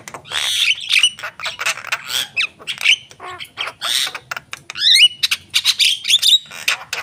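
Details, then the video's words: Javan myna song of raspy squawks, dry clicks and short chattering trills, broken by a couple of rising slurred whistles, delivered in lively, irregular bursts. "jalak kebo gacor"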